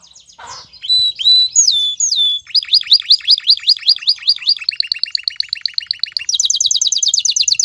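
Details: Excited male domestic canary singing to call a female and stir her to mate: a few clear whistled notes swooping down, then rapid repeated buzzy chirps, a lower double-pitched trill, and a fast high rattling trill.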